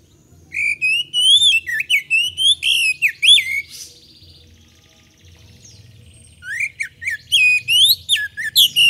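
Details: Oriental magpie-robin in full song, intended as a lure to provoke other birds; a fast series of loud looping whistles and chirps, a quieter buzzy stretch midway, then another energetic burst of varied notes.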